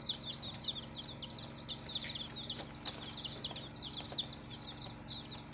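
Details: Chicks on their first day of life keep up a busy chorus of shrill descending peeps, closely packed, with a few soft knocks and a low hum behind.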